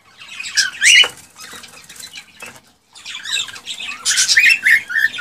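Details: Excited male cockatiel song meant to stir a female to mate and breed: bursts of harsh, buzzy chatter with a few rising whistled notes. Wing flutters and rustling fill a brief quiet gap midway.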